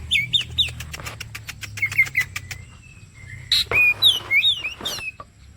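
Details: Kacer song played as bait to draw out vigorous singing: quick rising whistles over a train of dry clicks, followed by a loud jumble of varied whistled and chattering notes.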